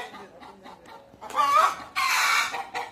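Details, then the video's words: Noisy hens and roosters at Deokso Natural History Museum: low soft clucks at first, then a loud harsh squawking burst and a longer raucous cackle. "떠드는 닭들"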